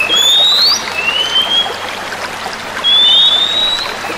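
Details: Several female Oriental magpie-robins answer one another in song: clear, high whistled phrases sliding upward, a few per second with short pauses, over a steady hiss like running water.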